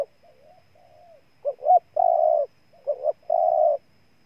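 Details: Spotted dove from Ninh Thuận province, Vietnam: a soft wavering coo, then two phrases of short rising notes each ending in a long, level, humming coo.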